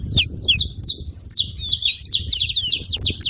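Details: Several saffron finches calling together, making noise: a busy overlapping stream of sharp, high, downslurred chirps and short trills, some notes sliding, in quick uneven bursts over a faint low rumble.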